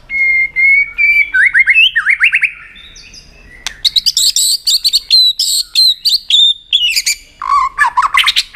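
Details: White-rumped shama singing to excite another shama for song contests: a long level whistle, rising slurred notes, a short pause, then a fast, bright stream of high varied whistles and dropping trilled phrases.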